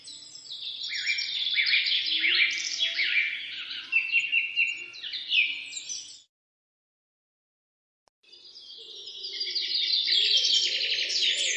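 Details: Birds singing in the morning: busy overlapping chirps and rapid twittering phrases for about six seconds, a brief silent break, then the chorus resumes and swells again.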